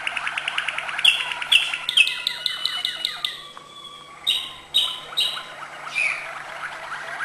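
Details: Malinois canary singing acute notes: rapid trilled rolls, then sharp bright clicking notes, then a run of descending slurred notes, and finally several loud high chips separated by short pauses.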